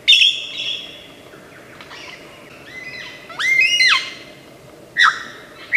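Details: Lyrebird, a bird of Australian forests famed for imitating many sounds, singing a mimicked medley: a buzzy high note, then a series of clear rising and falling whistled sweeps and sharp downslurred calls, separated by short pauses over low steady background hiss.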